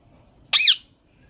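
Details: ['Single brief, rich, arching screech from a green parrot against near silence.']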